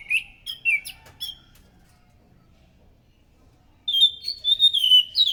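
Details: Orange-headed thrush song played as a lure: a few sharp whistled notes, a pause of nearly three seconds, then a rapid string of bright slurred whistles.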